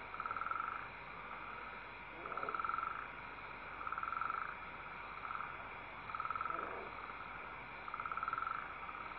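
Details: Owl chicks being fed by their mother, December 19, 2012, father hooting; six pulsed, rasping hisses come at regular intervals of about one and a half seconds, and two brief lower calls are heard between them.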